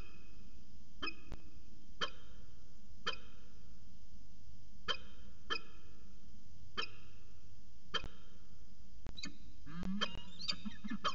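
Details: Peregrine falcons at CSU Orange trading calls through a long afternoon on 13 January 2019; crisp clipped notes repeated about once a second, a brief burst of overlapping calls near the end, constant low hum.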